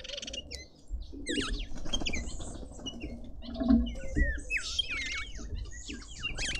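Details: Red-winged starlings feeding at a suburban garden feeder in Pretoria, South Africa: curving whistled notes, some rising and some dipping, repeated through the clip over low rumbling background noise and faint chatter.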